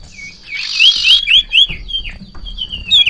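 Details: Sirtu bird in peak breeding condition, hopping excitedly on seeing a rival or female, gives a run of quick bright upslurred whistled notes repeated about every quarter second, with a steady high electronic-like tone behind.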